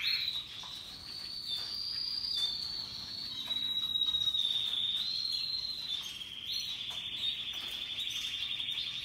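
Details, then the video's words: Singing canaries, Russian yellow and Timbrado birds: an unbroken high trilling song that rises and dips in pitch, with a clear sustained whistle midway and dense rapid warbles throughout. "RELAXING Canaries Paradise Song Sound"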